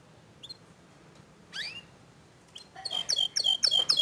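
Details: Canary, young birds responding to a prolific singer; after quiet with a few faint chips and a rising whistle, a loud burst of sharp, high, repeated downslurred notes starts near the end.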